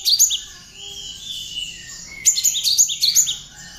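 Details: Hand-raised pet Java sparrow singing a lively song with imitated Bar-winged Prinia phrases, kept as a master recording for tutoring other birds: a burst of piercing chirps, a stretch of quieter thin twitters, then a second rapid series of sharp high notes.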